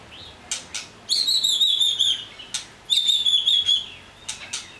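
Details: White-rumped shama giving two long, high, sustained whistles with a slight quaver, each lasting over a second. They are separated and surrounded by sharp clicking notes.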